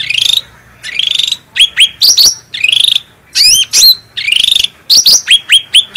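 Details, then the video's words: Cucak rante bulbul song intended as a master for training birds. Buzzy trilled phrases alternate with clusters of sharp rising whistles and squeaky notes. "Cucak Rante Gacor Suara Bening Power Tebal"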